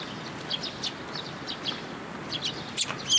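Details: Eurasian tree sparrow fledglings visit a post to be fed at a Tenmangu shrine, June 1, 2022. Quick bright high chirps come in short clusters, with a louder sharp note near the end.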